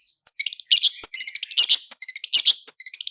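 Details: Lure recording of long-tailed shrike song in rolling style: quick bursts of harsh, buzzy, high-pitched notes mixed with short sharp chips, delivered in a fast irregular stream.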